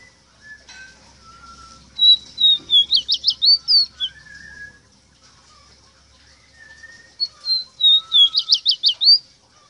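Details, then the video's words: Ruddy-breasted seedeater singing a tutor song used to teach captive birds to sing: two phrases, each starting with soft high whistled notes and ending in a rapid, bright trill of sharp up-down notes, with faint lower whistles between them. "INCREIBLE CANTO PARA ENSEÑAR A CANTAR A TU ROSITA, (Meriño Cantando) SPOROPHILIA MINUTA"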